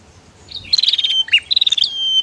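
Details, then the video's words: Bar-winged prinia pair, female against male, giving a quick buzzing rattle, a low sharp chip, then another rapid pulsed rattle trailing into a thin sustained whistle. "Suara Prenjak betina VS Prenjak Jantan"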